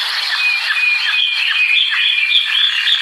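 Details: American Singer canary warbling continuously: a bubbly run of short whistled and slurred notes, quick and varied, over a steady high hiss.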